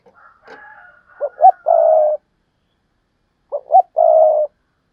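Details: A spotted dove phrase in the 'gáy thúc' and 'gáy gọi' styles, the double call also known as 'hai hậu'. Two quick short coos and a long drawn coo come twice, about two seconds apart, after a soft lead-in.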